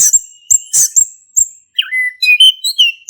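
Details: Short burst of ngeplong song from a male orange-headed thrush, played to prompt a silent thrush: a few sharp high chirps, then a dipping whistle followed by thin rising and falling notes.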